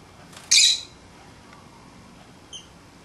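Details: Pet lovebirds playing outside their cage; one sharp, shrill squawk near the start, then a faint high chirp two seconds later against a quiet indoor background.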